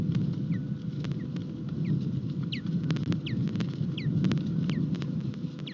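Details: Ospreys mating at their nest at Rutland on 21 March 2021; the female gets no fish first. Short, high, down-slurred chirps repeat about every half second over loud rumbling wind and sharp clicks.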